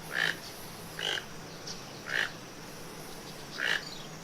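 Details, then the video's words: Toucan calling, a short harsh note repeated roughly once a second, each call a brief burst with a bright centre, over a steady background hiss. "Som do tucano. Tucano cantando..."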